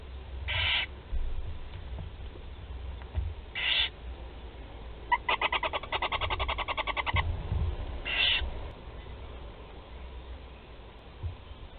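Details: Four barn owl chicks at a nest in Théding, watched by webcam, during feeding on 16 July 2020: long rasping hisses at about 0.7, 3.8 and 8.2 seconds, with a fast run of ticking pulses between five and seven seconds.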